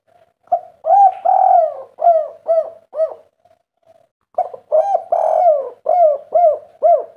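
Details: Spotted dove of a local strain with a melodious 'kuk 3' song rhythm, giving soft, rounded coos in two bursts of about six notes each, the first notes drawn out, separated by a brief pause, in a quiet setting.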